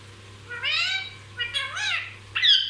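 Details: Chatty pet parrot running together three drawn-out, whiny harmonic phrases, the first sliding upward, the last high and sharp, with a faint low hum behind.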